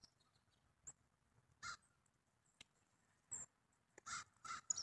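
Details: Pheasant calling: loud, harsh, broadband bursts, a single blast and then a quick cluster of three near the end, over faint background noise.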